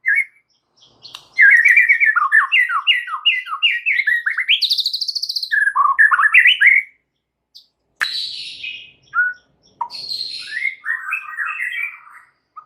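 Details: A single white-rumped shama in full, very busy song: a long run of rapid warbled notes rising to a buzzy peak, a pause, then scratchy bursts and quick descending twitters.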